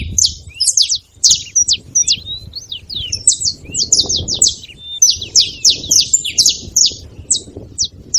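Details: A noisy gathering of saffron finches: quick, high chirps with both rising and falling slurs, a brief pause early on, then dense overlapping calling over soft low noise.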